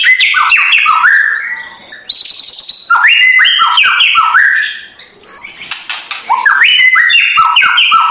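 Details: White-rumped shama pouring out loud kretekan song to goad a lazy bird into singing, morning lure: fast runs of stepped whistled notes and scratchy bursts, with a quieter dip midway.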